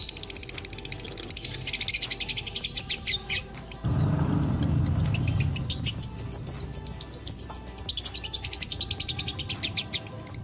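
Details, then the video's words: Fighter lovebird trilling long ngekek phrases, rapid high chattering repeated several times a second, interrupted midway by a rush of low noise before the trill resumes strongly. "love birds faikter dobelan minor top ngekek durasi panjang gacor"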